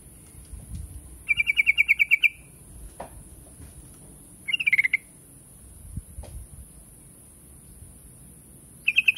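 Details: Yellow-vented bulbul: bursts of rapid, evenly pulsed chattering notes, each burst lasting about a second and repeated several times, with a steady high electronic whine throughout and low rumbling in the background.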